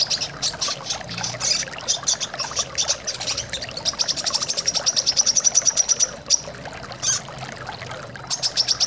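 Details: Brown-throated sunbird chirping: scattered notes, then a sustained fast train of high, piercing chirps that speeds up before stopping, with running water throughout; used to coax birds into song.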